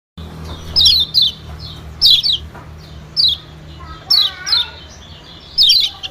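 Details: White-eye lure call used to attract small birds: short, high, down-slurred chirps in quick pairs, repeated about once a second, with a faint low hum beneath.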